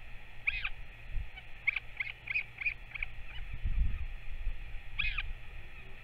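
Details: Northern royal albatross, a parent returned and feeding its chick, recorded 21 May 2024: short squeaky high notes come singly, then in a quick run of five or six, then one more near the end, over low wind rumble.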